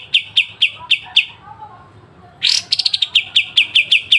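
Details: Sharp, clear pied triller 'besetan' song as a tutor for songbirds: several spaced high chips, a brief lull, then a rasping burst followed by a quick series of crisp notes.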